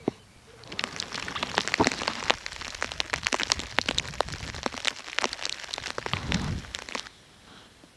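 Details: Rain patters steadily on a surface for about six seconds, with dense crackling drops and sharp ticks, then fades to near quiet.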